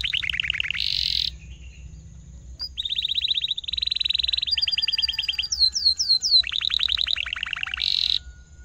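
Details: Canary in full song, a long 'cuit cuit' singer that rolls and then fires sharp notes, used as a tutor for young canaries; high, fast trills in bursts, a pause, then a run of descending whistled sweeps and more trills.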